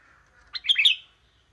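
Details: Young wild sooty-headed bulbul singing in its steady, monotonous style, one quick bubbly phrase of several clipped, whistled notes lasting about half a second, preceded by a faint softer sound.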